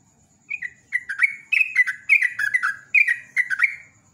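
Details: Yellow-vented bulbul, known locally as trucukan, in a lure recording to prompt other birds to sing, in the ropel ngecruk style; bubbly phrases of falling whistled notes repeated rapidly, with a faint steady high tone behind.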